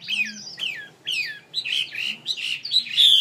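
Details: Pet songbird called mi in Vietnamese, from a Vietnamese ornamental-bird seller, giving short high whistled phrases that slide downward, repeated about every half second, then rising to brighter, buzzier notes near the end.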